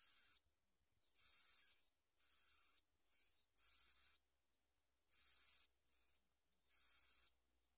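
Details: Bar-winged prinia nestlings at the nest being fed by their mother: harsh, hissing, very high-pitched raspy bursts about half a second long, repeated irregularly roughly every second, with quiet gaps between.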